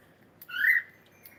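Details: A pet cockatiel, with many sparrows nearby, gives one rising, slurred whistle with harmonic overtones lasting about a third of a second, against quiet background hiss.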